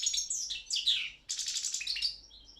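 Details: European goldfinch of the Balkan form Carduelis carduelis balcanica, entered in an online world song championship run by a Serbian breeders' association; bright twittering phrases with high buzzy trills and sliding notes, clean background.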